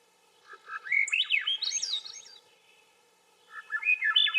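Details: Swainson's thrush singing: a rising spiral of fluting, whistled notes climbing quickly upward, one phrase of about a second and a half, then after a pause a second similar upward-spiralling phrase begins; quiet background.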